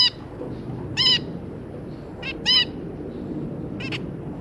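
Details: Adult zebra finch pair and three juveniles, recorded 2 August 2022: four short, loud, nasal beeping calls spaced roughly one to one and a half seconds apart against faint background noise.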